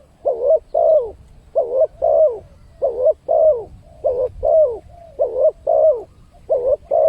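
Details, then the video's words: Spotted dove calling as a lure for wild birds, clean recording of paired mellow coos repeated at a regular rhythm, roughly fourteen short notes with a slight downward slur, little background noise. "suara pancingan burung tekukur, untuk mendatangkan burung liar."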